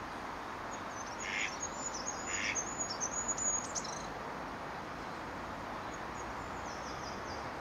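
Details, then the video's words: Goldcrest singing at Staffordshire Wildlife Trust HQ on 9 March 2016: a very high, thin, rapid run of notes with a brief fainter phrase later, over steady hiss and a couple of lower calls. "Goldcrest singing"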